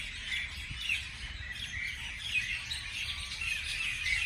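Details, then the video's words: Lively morning chirping from a group of birds, with high buzzy twitters and thin whistled notes overlapping throughout and a light low background rumble. "美丽的早上美丽的鸟的鸣叫beautiful morning beautiful birds chirping sounds calls"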